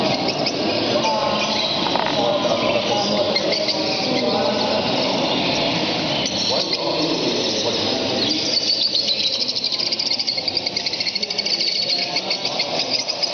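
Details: A yellow-faced budgerigar chatters in a steady, rapid warble of scratchy clicks, squeaks and mimicked speech-like notes, running on without pause.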